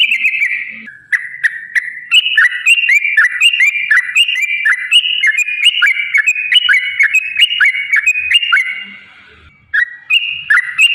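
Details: Sooty-headed bulbul singing a long, continuous 'ropel' sequence meant to provoke caged birds into song: rich liquid whistles that rise and drop, repeated rapidly and almost without break for ten seconds.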